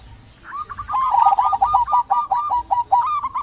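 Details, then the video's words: Zebra dove of a local strain in full song, used as a lure for quiet doves: soft coos build into a quick series of bright, clipped, rolling notes repeated several times a second. "Perkutut lokal gacor buat pancingan perkutut pendiam agar bunyi"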